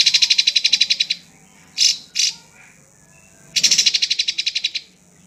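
A drongo gives fast, metallic chattering bursts of about fifteen bright notes per second, then two short harsh notes and another rapid run.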